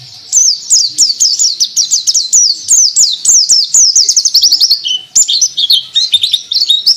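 A white-eye sings a long, rapid, high twittering run of sharp slurred notes, about four per second, with no pause and no other sounds.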